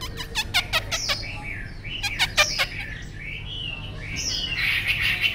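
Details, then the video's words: Tame Chinese hwamei with a good voice: a run of sharp tapping clicks, then wavering slurred whistles rising and falling, another burst of clicks, and a final bright warbled phrase. "họa mi ccdv1121 thuần đẹp giọng hay quá"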